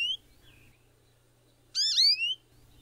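American Goldfinch giving a whiny, rising alarm note after a brief, thin, falling call, in an otherwise quiet setting.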